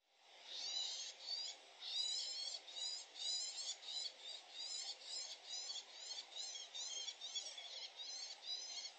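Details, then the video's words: A woodchat shrike, seen perching on the highest perch minutes earlier on 30 June 2021, gives high, scratchy chattering bursts, about two per second, over a faint low rumble; BirdNET rated it 100% shrike, though some observers still doubt it. "Sonido de ave misteriosa, ¿alcaudón común?"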